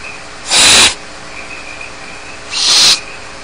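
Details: Two strong, breathy snoring hisses from barn owl chicks begging alone in the nest at Starr Ranch, about two seconds apart, each fading out at the end.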